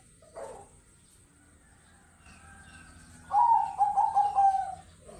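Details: A zebra dove, kept as a Bangkok-rhythm and local-style cooing bird, gives a soft, rolling cooing phrase of quick stuttered notes after a brief earlier call, over faint background hum.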